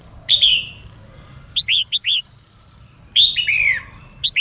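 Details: Female red-whiskered bulbul song meant to stimulate males: rich descending whistled phrases separated by clipped series of four short, rising-falling notes, delivered briskly over a steady faint electronic-sounding high tone.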